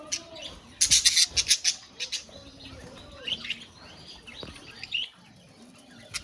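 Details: Budgies in a colony: a burst of loud, harsh, closely spaced squawks near the start, followed by softer scattered chirps and warbles from the flock and a few louder calls later.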